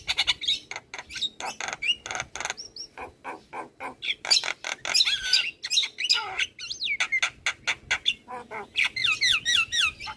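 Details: Javan myna, an energetic champion bird on a master recording for teaching other birds: rapid ticking clicks alternate with harsh bursts, squeaky slurred whistles and a closing run of quick descending whistled notes.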